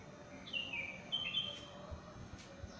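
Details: Bird in a residential complex after the dawn prayer, two clear falling whistles in quick succession against a low ambient hum.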